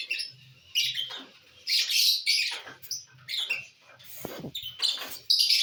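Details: Lovebirds eating corn on the cob, 18 December 2022, giving scattered shrill, harsh chirps in short bursts separated by quiet gaps, with soft low rustling and a brief crunching noise in between.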